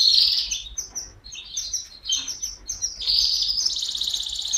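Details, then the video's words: Singing canary delivering high chirping phrases and short twittering notes in quick irregular bursts, ending in a dense, continuous high trill. "غناء الكناري|Canary singing|Canarias cantando|Kanarie sjunger|Kanarya şarkı söyleme"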